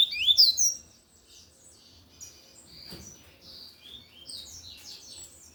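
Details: Lined seedeater singing loudly in the Tui Tui style: a burst of high, sharp chirps and slurred notes opens, then fainter scattered high phrases continue over a low background hum.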